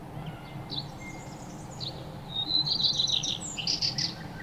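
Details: Several playful birds at a bath and feeding: after a quieter start with a thin whistle, the chirping grows into busy, high, twittering bursts toward the end, with a low steady hum underneath.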